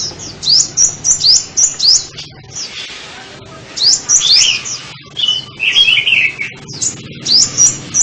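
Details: Sunbird song: bursts of thin, very high twittering notes, quick upward and downward slurs in rapid runs separated by short pauses, with a lower warbled phrase near the middle; faint background hum.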